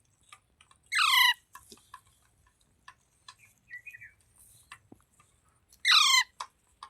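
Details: Green parrot said to be talking gives two loud, brief, rasping squawks about five seconds apart, with small chirps, light clicks and a soft warbled note in the quiet gap.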